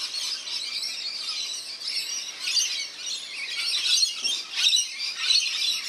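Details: Backyard birdbath in NSW, Australia, where rainbow lorikeets bathe; continuous high, rasping twitters and screeches from many birds at once, with brief louder squawks near the end.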